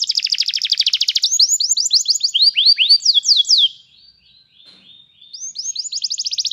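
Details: Canary song meant for training a canary to sing: rapid buzzy trills of high repeated notes, then series of quick falling whistled slurs, a short pause, and another fast trill at the end.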